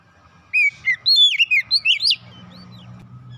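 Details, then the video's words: Magpie-robin kept at home sings a compact phrase of bright, slurred whistles, rising toward the end. A steady low hum follows once the singing stops. "kicauan indah memancing suara Kacer rumahan ikut gacor"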